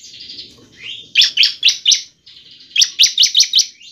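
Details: Bar-winged prinia (ciblek) lure song for encouraging prinias to sing: a thin whistle, then two evenly spaced runs of four to five loud, sharp chips.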